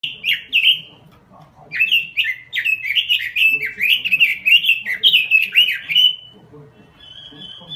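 Pekin robin song: a brief opening phrase, then a long run of quick, fluty, rising-and-falling warbles, with a faint low hum underneath.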